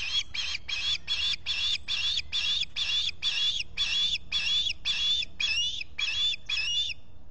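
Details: Osprey nest at Salt Point, Finger Lakes, US, morning of 23 July 2021, with a visitor at the nest. Steady run of about fourteen shrill whistled chirps, evenly spaced and loud, over faint low rumble. Solar-powered camera audio.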